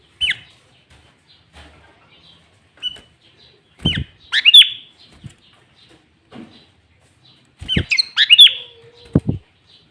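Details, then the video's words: Sooty-headed bulbul singing loud, clear 'gacor' song used as a lure, with fill-in phrases of green leafbird; three short bursts of bubbly, down-slurred notes at about 0.3, 4 and 8 seconds, separated by near silence and faint clicks. "Pancingan Burung kutilang gacor full isian cucok ijo"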